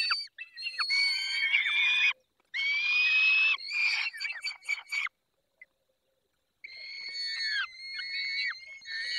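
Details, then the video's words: Peregrine falcon feeding in Poland's Barycz Valley, 20 May 2021, 10:22. Drawn-out, grating wails with rich overtones, delivered in bursts, then a pause of about one and a half seconds before more strained, slightly rising cries. "Karmienie 10:22 Dolina Baryczy 20 05 2021 sokół wędrowny"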